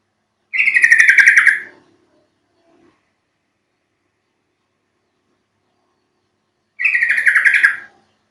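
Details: Yellow-vented Bulbul lure call for drawing birds into song: two bubbly, chattering phrases of about a second each, slightly descending, separated by roughly five seconds of quiet.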